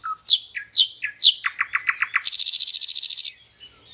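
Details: A common nightingale sings beside a trickling river in lush green forest: three loud, sweeping whistles, then a quick string of sharp notes speeding into a rapid, rattling trill.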